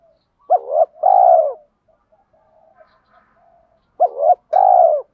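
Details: Spotted dove cooing in a recording of male and female birds used to stimulate doves in training: two paired phrases, each a short wavering note then a long smooth mellow coo, with faint soft notes between.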